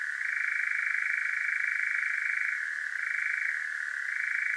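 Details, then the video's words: European nightjar churring at night in Devon, South West UK, recorded with a parabolic microphone on a Zoom H5; a long, even trill that lowers slightly in pitch for a stretch, then climbs back. "Powerful Nightjar Churring & MoonScape"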